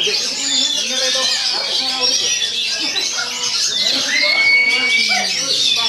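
An oriental magpie-robin sings a dense, rapid jumble of high chattering notes and clear whistles, with one long rising whistle near the middle.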